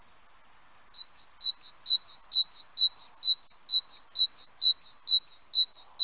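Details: Great tit singing its two-note phrase, a higher whistled note followed by a lower one, repeated rapidly about twice per second in a steady, even rhythm for some eleven cycles against a quiet, clean background.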